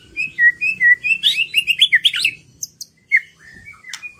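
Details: Singing white-rumped shama, played to trigger other birds into song: a string of clear, sweet whistles speeding into quick warbled notes, then scattered thin high chips and a faint background hum.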